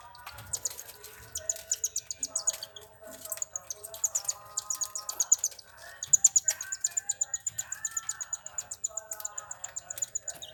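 Cockatiels call in a busy chorus of bright, repeated chirps and short whistled notes.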